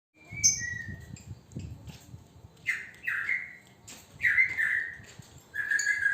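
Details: Single male lovebird in training: scattered harsh squawky chirps in short bursts, some rising then dropping, separated by pauses, with faint background rustling.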